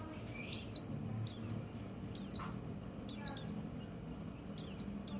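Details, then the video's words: White-eye song used to stimulate other white-eyes: bright, sharply falling high notes in short bursts, about seven over five seconds at uneven spacing, joined by a thin steady high whistle between bursts; faint low background hum. "perangsang semua burung pleci"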